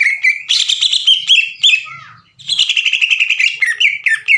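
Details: Greater green leafbird song used as a training recording to provoke other birds, long chattering 'ngekek' like a sewing machine: loud whistled and chattering phrases swinging between mid and high pitch, with a brief pause mid-clip.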